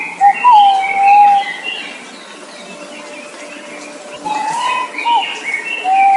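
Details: Calls of the bird known locally as nok pao: a clear whistled note that slurs down and holds steady, repeated after a pause, with faint background chatter.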